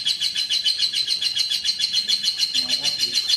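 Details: Competition lovebird from Central Java, Indonesia, famed at local and national contests: a continuous, fast, high-pitched trill of evenly pulsed chirping notes with faint voices behind.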